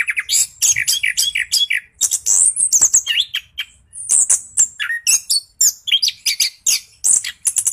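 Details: Continuous 'gacor' song of an orange-headed thrush, played to rouse other thrushes into song; varied high whistles, downslurred notes and sharp chips tumbling quickly one after another.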